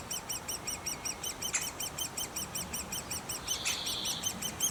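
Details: Great spotted woodpeckers (Dendrocopos major) at a nest: a rapid, unbroken chatter of high, thin arched notes, several per second, forming a steady shrill chorus, with one sharp click and a brief higher buzzy note near the end.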